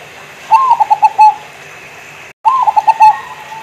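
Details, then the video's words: Actively singing local zebra dove coos two phrases about two seconds apart. Each is a rising opening note followed by four or five rapid, bubbling coos that fade out, over a constant background hum. "Suara perkutut Lokal Gacor"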